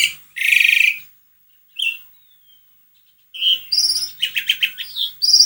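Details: Asian pied starling singing as a prompt for another bird: a harsh buzzy burst, a brief whistle, a pause, then varied chatter with whistled notes and grating pulses.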